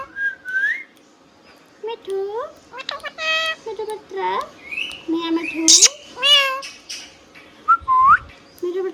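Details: Pet Rose-ringed parakeet, hand-tame, uttering mimicked speech, short gliding harmonic syllables in spaced bursts with upward whistled slurs, some faint clicks.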